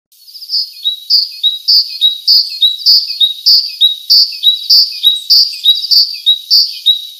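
A titmouse repeats a high, clear, down-slurred whistled note steadily, about twice per second; nothing else is heard.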